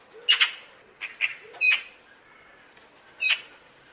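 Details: Eurasian magpie (Pica pica), call.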